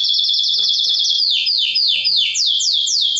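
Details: Mosaic canary singing to stimulate mating and teach chicks: a fast high trill of even notes gives way to slower repeated downward-sweeping whistled notes, roughly three a second, loud and continuous.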